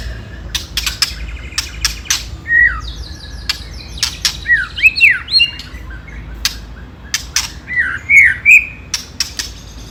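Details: White-rumped shama, a lure song with the 'ketrekan' rattling style, meant to provoke rival birds to fight. Short swooping whistled notes near the middle and end are mixed with many sharp dry clicks scattered throughout.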